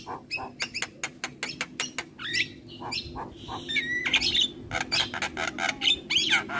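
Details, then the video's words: Javan myna master song for training other birds, opening with rapid rhythmic chattering notes, then scratchy rising slurs and whistled phrases over a faint constant background hum. "Jalak kebo Gacor Parah Bikin Burung Lain yang Dengar Ikut Bunyi - Masteran Jalak Kebo Juara"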